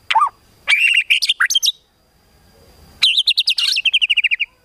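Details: White-rumped shama song meant to provoke a rival's emotion: loud bursts of rapid, sharp whistled and chattering notes, a short pause, then a fast run of about a dozen repeated rising whistles; a faint steady hum behind.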